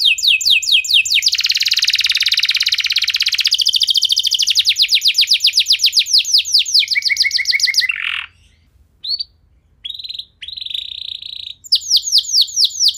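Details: Canary singing to prompt other canaries to sing: long unbroken rapid trill of sweeping notes over several seconds, a harsh downward note, a few short steady whistles with pauses, then quick trilling again.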